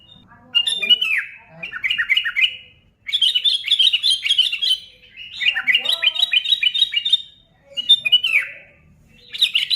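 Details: Lively kutilang (sooty-headed bulbul) song for provoking other bulbuls to sing: repeated bursts of quick warbling chirps, each lasting one to two seconds, divided by brief silences, some notes sweeping sharply downward.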